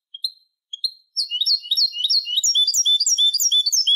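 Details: European goldfinch song played to tutor young birds: two brief thin call notes, then an accelerating run of quick, repeated, slurred high twitters, about three per second, building into dense chattering.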